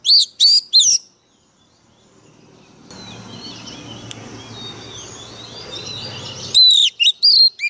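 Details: Oriental magpie-robin decoy bird singing fiercely: a burst of sharp, high whistled notes at the start, a long stretch of rustling background noise with faint chirps, then another quick run of loud rising-and-falling whistles.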